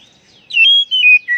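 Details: Oriental magpie-robin call used to prompt stressed birds that have stopped singing: a clear whistled phrase of three sliding notes, dipping and falling in pitch, in a clean quiet recording.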